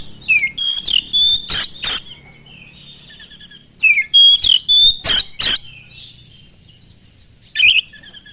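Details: Oriental magpie-robin song played as a lure to provoke other magpie-robins into singing: two loud bursts of whistled, sliding notes mixed with harsh broadband rasps, a quiet gap, then a brief final note.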